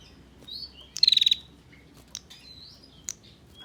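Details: A single fast burst of sharp ticking notes from a female bar-winged prinia, the ngetir call used as a lure for males. A few faint high chirps and clicks follow in a quiet background.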